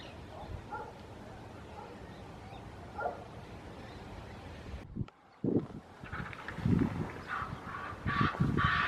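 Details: Red-knobbed Coot, territorial behaviour, chasing other birds or rival coots from its area: short honking calls in irregular bursts, louder in the second half, over a low background rumble.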